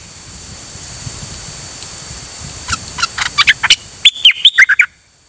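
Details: On 8 September 2023 a pied fantail gives scattered faint high notes that build into a clear phrase of six quick squeaky notes sliding up and down, over a low background rumble.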